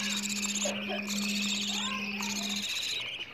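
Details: Budgerigar chicks begging for food, played to stimulate breeding: raspy, buzzy chattering in bursts over a steady low electrical hum.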